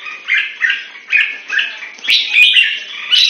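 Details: Caged red-whiskered bulbul in Singapore, in song training, gives repeated short bubbly whistled phrases about every half second, then a longer warbling run; sharp clicks in the background.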